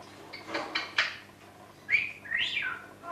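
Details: Female red eclectus parrot indoors, sounding like a ringing phone while a male green eclectus looks on; a few clicky chirps, then clear whistled tones rising and falling in short bursts.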